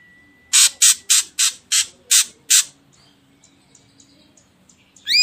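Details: Ashy drongo used as a lure for other birds: seven quick harsh rasps, a quiet pause with faint ticks, then a sudden rising whistle.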